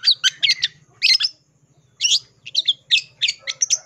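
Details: Long-tailed shrike singing its full isian after breaking its silence; clusters of loud, grating squawks and chirps separated by short pauses, with a thin whistle near the end.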